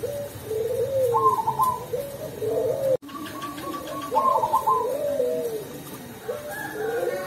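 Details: Zebra dove, Perkutut Cemani variety, a prized kept bird from Tulungagung, singing freely in the 'ulem' voice: low, warbling coo phrases recurring steadily, joined by a higher rattling trill, a brief cut midway, indoors.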